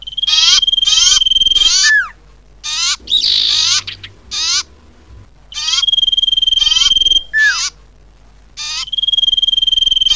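Common iora: two-second bursts of rapid, buzzy chattering notes over a steady high whistle, separated by short pauses, with one harsher squeaky burst between them.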